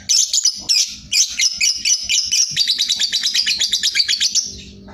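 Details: Sooty-headed bulbul giving a ngekek song with tight pauses, offered as master song for contest birds: rapid high chattering notes repeated about twice a second, then speeding into a dense, shrill trilled run that fades at the end.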